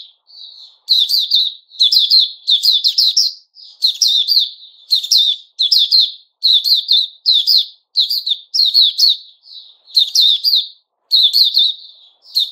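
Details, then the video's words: White-rumped shama singing its opening song ("buka"), recorded 29 August 2021: bright, chattering phrases of quick high notes in bursts about every second, with short soft warbles between the bursts. "Puteh Raja Sing Buka"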